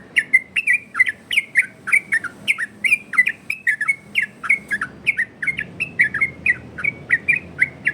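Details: A 'ropel' variation song of the yellow-vented bulbul, kept for training and luring other birds. Dense chain of liquid, bouncing whistles, each note swooping up then dropping, delivered about three per second with hardly a break.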